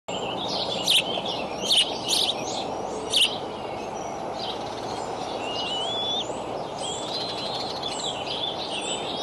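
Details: Eagle at a nest cam in Decorah, early morning of 25 May 2012, as the adult male brings a raccoon to three eaglets aged 55 to 59 days. Three sharp, high chirps, with thin wavering whistles of other birds and steady background hiss.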